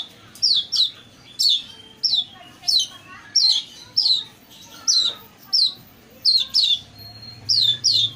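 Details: Shrike lure for getting a reluctant Long-tailed shrike to sing: steady series of piercing, high downslurred whistle notes, mostly in twos, spaced about every half second across the whole stretch, faint hum underneath.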